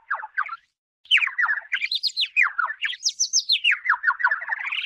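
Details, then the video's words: Warbler in the dry season, bathing in water in a plastic bottle; a short chirp pair, a pause, then a long continuous run of rapid buzzy notes rising and falling in pitch, ending on a climbing trill. "The warble bathing in plastic bottle: The Bird songs"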